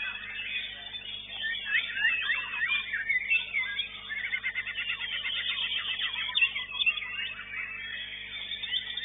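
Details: White-rumped shama in a bird song contest, singing continuously: fast, varied whistles, chatters and rapid trills, with dense repeated phrases, in a recording with the highest pitches cut off.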